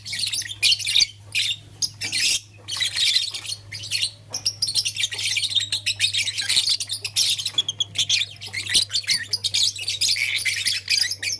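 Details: Blue, lutino and green lovebirds playing with a flower in the morning, giving dense, rapid high chirps and harsh squawks in bursts through most of the recording, with a steady low hum beneath.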